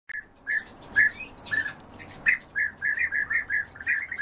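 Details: European bee-eaters during feeding, giving short rolling mid-pitched calls in a fairly steady series, about one every third of a second toward the end, with a few higher fainter notes between.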